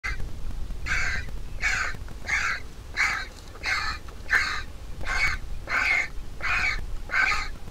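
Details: Large vulture nestling in its nest begging while its mother feeds it: about eleven harsh, raspy squawks in steady succession, each a short noisy burst, with a low rumble of background noise underneath.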